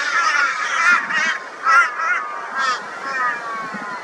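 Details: Crows joining forces against a barn owl, Brisbane, Australia, 22 February 2022; harsh, nasal, overlapping caws rise and fall in separate bursts about once a second over a steady chorus of calling birds.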